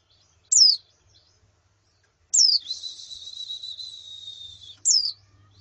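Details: Female and colony white-eye calls for therapy of a male's song: a single sharp falling note, then another leading into a long, steady, thin high whistle, and a final down-slurred note.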